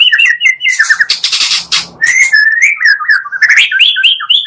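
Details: Provoking magpie-robin song made from two combined voices: bright warbled phrases, a harsh rasping burst in the middle, then flowing whistled slurs rising and falling in pitch.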